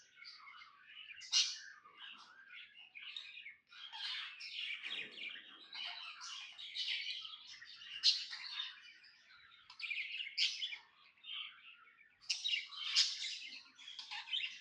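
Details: Contented budgerigar chatter, a long rambling stream of raspy chirps, clicks and warbles with occasional louder squeaky peaks.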